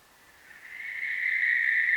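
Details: Western barn owl giving a noisy, harsh, hissing screech that starts faint and swells steadily louder over two seconds, a broad rasping band with no clear notes, against a quiet background.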